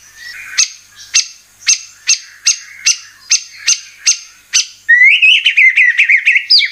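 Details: White-rumped shama song played to make birds sing: evenly spaced sharp single notes about every half second, then a rich burst of slurred whistles and trills.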